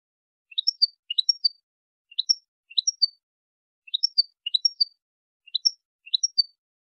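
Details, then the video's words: Goldfinch tutoring song for training other goldfinches: short twittering phrases of quick, high, rising chirps, each phrase a tight cluster of three or four notes. Phrases come in pairs roughly every second and a half, against a clean, silent background. "تعليم الحسون أفضل تغريد في العالم بدون أخطاء"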